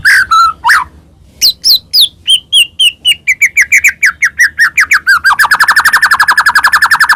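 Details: White-rumped shama, a Medan-type bird, in full varied song meant to provoke other shamas into singing: loud whistled notes and sweeping slurs, then a fast series of rising and falling chips speeding into a rapid rattling trill.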